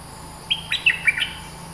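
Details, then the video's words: Bulbul, a fierce dominant local bird, singing: a quick phrase of four or five bright whistled notes, sliding and slurred, each a fraction of a second apart, over a steady low hum. "เสียงนกดอกแตง Ep.212 จ้าวถิ่นดุ!! สับเพลงยาวน่าฟัง Suara pikat merbah lekir gacor"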